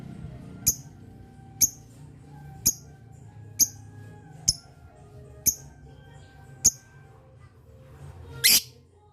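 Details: Lovebird giving long 'ngetik' chatter meant to make other lovebirds answer; short, sharp, high chirps repeated about once a second over low background hum, ending with a louder harsh burst.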